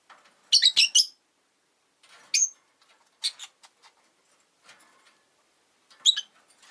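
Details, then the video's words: Five rosy-faced lovebirds in a cage by a window, winter: a quick triple chirp with a sharp click, a whistled call, soft scratching and ticking noises, then another harsh chirp. "冬とか関係なく良く鳴く子【Lovebird Chirping Sounds"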